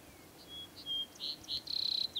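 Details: Vesper sparrow singing at Mt. Pisgah, Lane County, Oregon, on 7/11/2003: a few clear, high whistled notes, then a rapid buzzy trill ending in a dropping slur, over quiet background.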